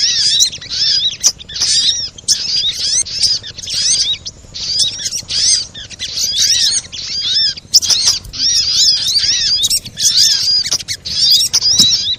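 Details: Busy sunbird chatter from a lure recording meant to set sunbirds singing. Repeated clusters of high, thin, looping chirps are separated by short pauses and scattered sharp clicks.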